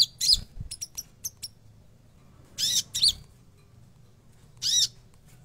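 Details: Konin singing, opening with a rasping burst and scattered thin high chirps, then paired harsh buzzy phrases ending in down-slurred whistles, one more burst near the end; faint low hum behind.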